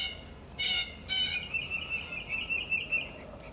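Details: Two loud, harsh squawks from a woodpecker, followed by a drawn-out, wavering whine that trails off, with soft background noise.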